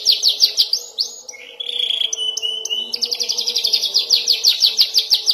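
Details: Young canary learning to roll and trill: quick high sweeping notes, then a steadier lower warbled stretch, then a long rapid high trill of evenly spaced notes, about three per second.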